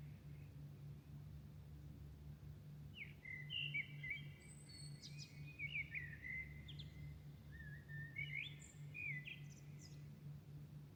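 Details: Dawn chorus at night in Milan: repeated bursts of varied whistles, trills and high twittering phrases from singing birds, set against an unbroken low background hum.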